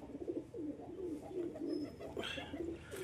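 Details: Pigeons giving low, soft, repeated cooing notes in quick succession, indoors, with a short rustle near the end.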